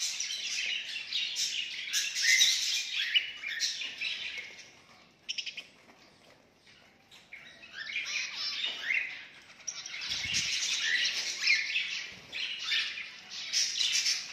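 Zebra finches chatter with a steady stream of high, nasal beeps and chirps from several birds.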